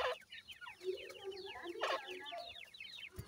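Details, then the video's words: Grey francolin chicks beside a parent bird, giving continuous runs of quick, falling peeps in high-pitched clusters. Lower, drawn-out clucking notes sound between them. "grey francolin teeter and chicks,dakhni titer k baby"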